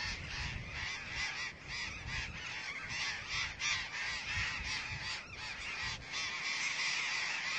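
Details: Burrowing parrots (Cyanoliseus patagonus) at a huge nesting colony of about 35,000 pairs in Argentina; dense chorus of harsh, grating screeches overlapping nonstop, several each second, with no quiet gaps.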